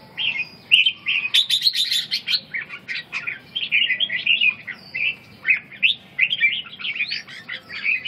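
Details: Red-whiskered bulbul, a bird of the inner region, singing a lively stream of bright warbled and whistled phrases, chattering and tumbling, with short pauses between bursts against a faint low background hum.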